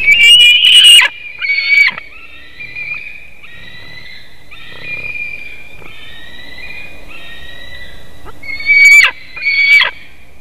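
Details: Juvenile White-tailed eagles at a nest in Latvia, early morning in August, screaming as an adult brings fish; loud harsh bursts open and close a run of long, thin, drawn-out whistled screams.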